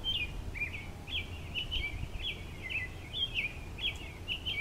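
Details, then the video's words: Singing American robin on a pine branch delivers continuous caroling made of brief whistled phrases that rise and fall, closely strung together, over a soft low rumble. "American Robin Singing"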